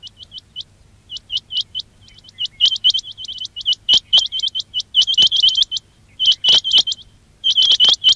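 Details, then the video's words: Quail calling for use in trapping: a dense, busy stream of short, high, upswept chips in rapid runs, overlapping and growing louder and more crowded toward the end. "quail batair ki awaz"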